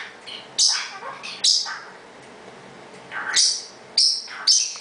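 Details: Pet parrotlet calling out to show he is in charge, giving sharp, shrill squawks and scratchy chirps in irregular bursts with short quiet pauses, indoors.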